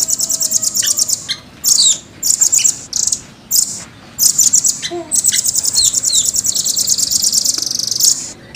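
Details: Velvet-fronted nuthatch in a cage: choppy, very high trill phrases at first, then a long unbroken rolling trill toward the end.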